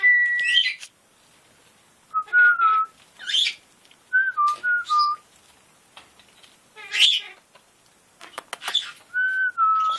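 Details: Male military macaw, territorial on top of his cage, bluffing with hormonal aggression, gives clear wavering whistles dipping and rising in short bursts every two seconds or so, broken by harsher rasping squawks.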